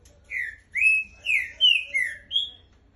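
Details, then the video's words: Green-winged saltator (trinca-ferro) singing a phrase of six loud whistled notes, each slurred and falling or rising, spaced about half a second apart, with a faint low hum behind. "Trinca Ferro"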